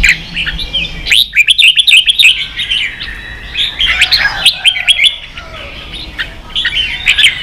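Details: Young-bird training recording of red-whiskered bulbul 'ché' song: rapid, jumbled whistled phrases and chirps, about three notes per second, in loose uneven bursts.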